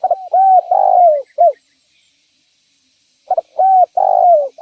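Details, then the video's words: Spotted dove used to attract and trap other doves; crisp low coos in two phrases, short notes building to a long sliding coo and a clipped final note, with a silent gap between. "Suara Burung Derkuku Gacor Cocok Untuk Pancingan Dan Pikat Tekukur"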